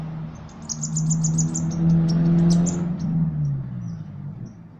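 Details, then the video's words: Ruby-cheeked sunbird, a kept songbird, giving a quick run of thin, very high chirps and trills, some cricket-like, over a loud steady low hum. "Kolibri Ninja Gacor Isian Jangkrik Kapas Tembak"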